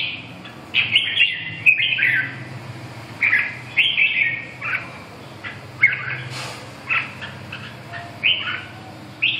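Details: Song of a red-whiskered bulbul: clear, rolling whistled phrases with rising and falling slurs, given in regular bursts roughly every second, over a quiet low background hum.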